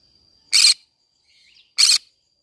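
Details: Green-cheeked conure in a flower garden, two broad, scratchy squawks just over a second apart with a faint twittering note between.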